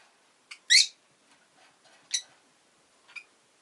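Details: Chirping rosy-faced lovebird: a loud, harsh, high chirp followed by a second sharp one and a fainter short note, with quiet scratchy sounds between calls.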